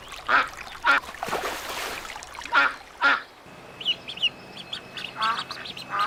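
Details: Little ducks trade loud, nasal quacks over a brief rush of noise, with soft high peeps between them.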